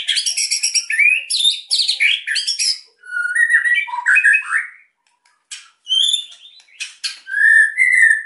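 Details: White-rumped shama song for stirring quiet birds: dense fast high chattering phrases, then lower scratchy warbles, a pause, and scattered clear whistled notes.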